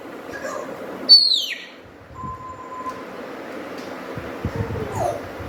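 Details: A friendly parrot kept as a pet, trying to learn words, gives a loud, high whistle that slides downward. A short steady flat note follows, then quiet room noise.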